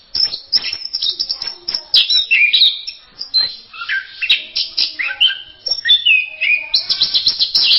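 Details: Orange-headed thrush (anis merah) pouring out a continuous masteran song: fast, rhythmic stream of high chirps, buzzy trills and short slurred whistles with hardly a pause.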